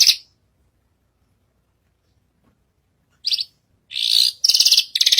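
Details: Javan bushlark (branjagan) up on a stage, singing lustily: a single high buzzy note, three seconds of quiet, then harsh, rapidly trilled rasping phrases.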